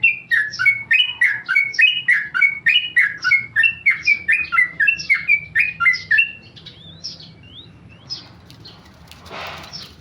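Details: Tame male sooty-headed bulbul singing in ropel style, a rapid nonstop delivery. Bright chattering whistled phrases repeat fast, about three or four per second, for six seconds. Scattered notes follow, then a brief rustling burst near the end.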